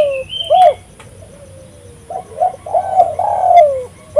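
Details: A spotted dove calling vigorously, used as a lure: a brief high note, a sharp coo, a soft drawn tone, then clipped coos leading into a long falling purr, over a low rumbling background.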